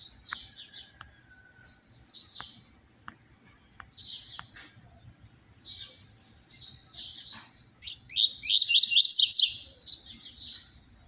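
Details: A double-collared seedeater performs its 'tui tui zero zero' song, offered as a model for teaching other seedeaters: scattered high chirps and sharp clicks over several seconds, then an intense, rapid, buzzy trilled burst at the end.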